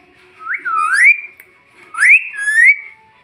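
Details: Young pet Indian ringneck parrot whistling two clear rising, looping phrases about a second apart, each sliding upward then wavering, with quiet room background between them.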